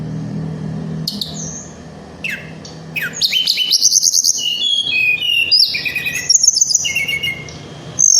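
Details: Singing Little Pied Flycatcher (tledekan gunung), its song used as a lure and master for flycatchers: a few separate sharp downslurred notes, then a dense run of high trilled and whistled phrases; low hum behind.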